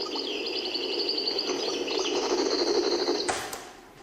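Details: A caged European goldfinch (chardonneret, "el meknin") in Algiers, Algeria, sings a fast, tinkling, improvising twitter of high, bright notes, with a steady low hiss and a sharp click near the end.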